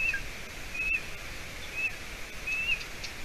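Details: Golden eaglet at the nest in Latvia, evening of 30 June, hatched early May, as the adult female arrives with roe deer leg hide. Four short high whistles, evenly spaced, against constant background hiss.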